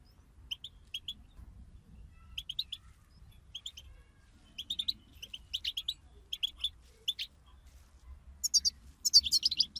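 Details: European goldfinches in a group chatter (bitbita) meant to stimulate a caged goldfinch to sing: short high chirps in pairs and small clusters, spaced by brief pauses, building to a dense burst of twittering at the end.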